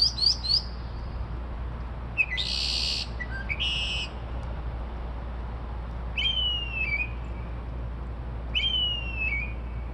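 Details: Unidentified bird singing at 2:30–3:00am and mimicking car alarms and sparrows: quick high chirps open, then two harsh buzzy bursts and later two clear whistled notes that slide downward, set over a steady low hum.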